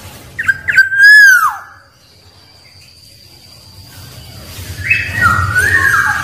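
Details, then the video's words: Black-naped oriole, a wild bird, giving a loud, liquid whistled phrase that swoops down, then a quiet gap and a fainter slurred whistle at the end. The song is meant to call rivals. A faint steady tone and low rumble sit in the background. "Suara Burung Kepodang liar Paling Ampuh Memanggil lawan"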